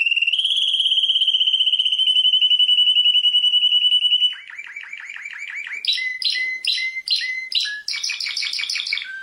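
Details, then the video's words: Champion canary holds a long, even, rapid trill for four seconds, then switches to quick descending swoops and ringing high staccato phrases. "Canto de canario 🐤🥇🏆campeón del Mundo🥇🏆"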